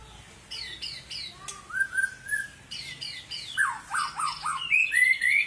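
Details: Long-tailed white-rumped shama of the Medan variety singing a varied sequence: repeated descending whistles, a long rising slur, then quick falling notes and high trills.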